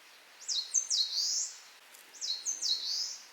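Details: Two consecutive songs from an eastern crowned warbler, about 1.8 seconds apart. Each is a burst of thin, high, sliding notes ending in a buzzy, drawn-out rising note. Light background hiss.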